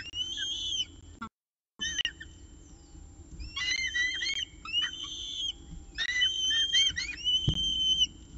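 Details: Nestcam recording of peregrine falcons at the evening meal in Orange, 18 October 2018, around 6:51 pm: bursts of shrill, wavering whistles in clusters, separated by quieter pauses, with one short silent gap near the start.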